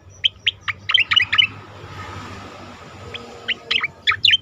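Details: Asian pied starling song used as a training recording for contest birds: bursts of short, sharp chirped notes, then a quiet gap of about a second and a half, then another cluster of bright, clipped chirps.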